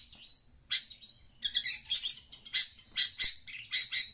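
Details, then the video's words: Long-tailed shrike calling while it listens to a phone: a series of loud, harsh, rasping notes repeated roughly twice a second after a softer opening. "Burung pentet cerewet dengar suara hp"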